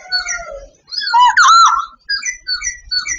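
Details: Vietnamese sooty babbler song, clear and close: a run of warbled whistles that swoop up and down, one strong looping phrase in the middle, then shorter bright notes.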